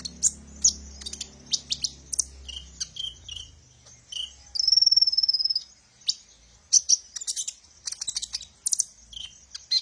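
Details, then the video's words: Sunbird song used as a lure for training birds: sharp high chirps and twitters around a long, buzzy, wavering trill held for over a second, with a low hum early on. "suara burung Kolibri ninja"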